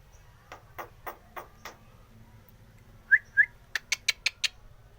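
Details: Starling song used as a lure and learning material for young starlings: a run of soft, clicky notes, then two bright whistled chirps, then a fast burst of sharp, clipped notes.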